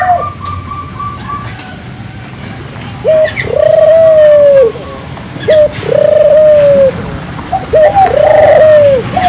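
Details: Vigorous turtle dove song meant to stimulate local doves to sing; after a quiet start, three phrases of a short note followed by a long level coo, the last with a doubled lead-in note.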